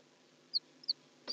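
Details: House sparrows together in their nest: three short, thin, high chirps spaced roughly a third of a second apart, with a soft scuffling knock between the last two.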